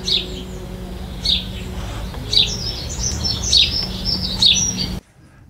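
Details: House sparrow heard in the background on a spring morning, giving short, bright 'chillup' chirps about once a second, five in a row, over a steady low hum.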